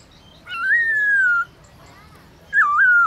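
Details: Midday song of a black-throated laughingthrush (Garrulax chinensis), a pet bird used for song training: a sustained clear whistle rising then sliding slowly down, silence, then a wavering whistled phrase.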